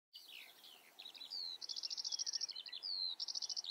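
A Eurasian skylark pours out a high, unbroken song of fast chirps, slurred whistles and buzzy rattling trills, delivered at a hurried, restless pace over faint background hiss.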